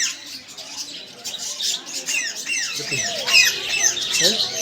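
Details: A noisy group of parrots giving quick, overlapping squawks and chirps that grow louder in the second half, with a few sharp high notes standing out over the chatter.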